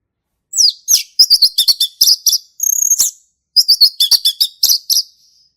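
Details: A male orange-headed thrush sings vigorously in the ngeplong style in a forest. Dense bursts of high, chattering and trilled notes come in quick clusters, with one drawn-out buzzy note near the middle.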